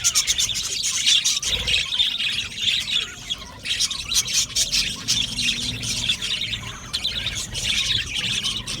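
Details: Budgerigars in an aviary colony calling together, harsh squawks mixed with rapid high chirps in overlapping bursts throughout.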